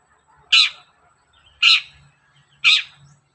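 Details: Long-tailed shrike heard in the morning, played as a lure to prompt other shrikes to sing: three harsh, raspy notes spaced about one second apart, with faint low rumbling between them.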